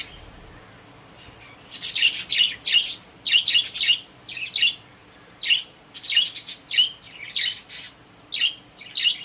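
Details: Pet budgerigars in their cage, a quiet start and then clustered bursts of sharp chirps and scratchy warbles, grouped in twos and threes with short gaps.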